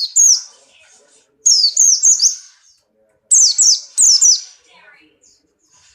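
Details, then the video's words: Breeding-condition Buxton's white-eye, pleci Buxtoni, hopping in its cage and singing short energetic bursts of high, rapid, downslurred chirping notes, three phrases with pauses between them. "burung pleci Buxtoni birahi kencang loncat indah nembak"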